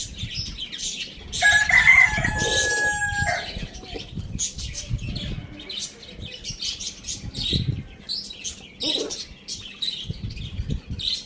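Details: Rooster on a farm in a village lets out a single drawn-out crow of about two seconds, with busy small-bird chirping throughout before and after.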